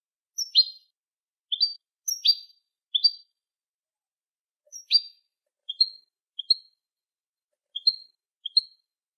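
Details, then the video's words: European goldfinch sounds for teaching young goldfinches: sharp downward-sweeping chirps in pairs, then softer, clearer two-note tweets spaced about a second apart. Quiet background. "الشريط الملكي لتسميع فراخ الحسون 2020 - Goldfinch Song - Jilguero Canto"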